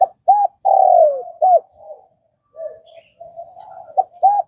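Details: Spotted dove in Vietnam: short arched coos around a long drawn-out falling note, followed by quiet mumbled cooing and two more clipped notes.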